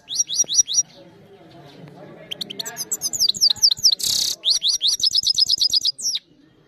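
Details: Phone-camera recording of a European goldfinch in song: bursts of rapid high liquid twitters separated by short pauses, a moment of harsh buzzy noise mid-phrase, then quickening tinkling runs.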